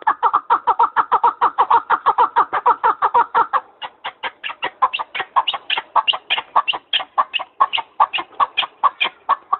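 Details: Partridge calling in Arguvan, Turkey: a fast, steady stream of loud, gritty chuck notes, roughly two per second, packed tightly early on and slightly looser later, continuing without a break.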